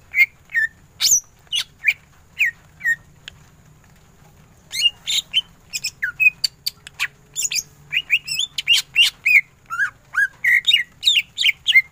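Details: Greater green leafbird in vigorous ngentrok song. Spaced, sharp whistled notes open the passage, then a dense run of rapid chips and swooping whistles follows without a break.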